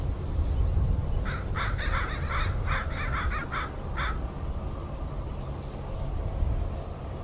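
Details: Crows chattering on a marsh at Richmond, British Columbia, Canada, 16 May 2018, near a heron: a rapid burst of about nine harsh, hoarse caws over roughly three seconds, then quiet, with constant deep rumbling in the background.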